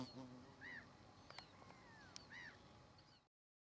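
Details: Common tern with two grown chicks: a pair of arched, down-slurred calls about one and a half seconds apart, with a few clicks and steady background hiss before abrupt silence.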